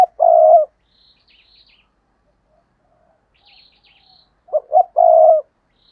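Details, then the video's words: Spotted dove decoy on a tree calling to lure other doves: a long low coo, a quiet gap with faint high chirps, then two short hoots and another sustained coo. "Chim Cu Mồi Cây Thúc Gù Và Gáy Gọi/ Cu gáy kích bổi nhanh nổi gù"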